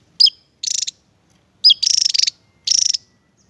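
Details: Javan tesia, sought as a tutor for training songbirds, singing sharp high notes that lead into rapid, buzzy, pulsing trills, one of them drawn out and stuttering, in a lively, uneven sequence.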